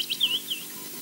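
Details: Osprey chick begging at the Loch Garten nest in Scotland; a quick run of thin, whistled chirps, rising then slurring downward, four notes in about half a second, with quiet background.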